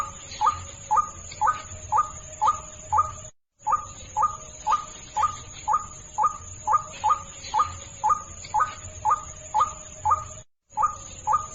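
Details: White-breasted waterhen call used for luring birds: a short nasal squawking note repeated steadily about twice a second, with two brief breaks and a constant faint high electronic whine throughout.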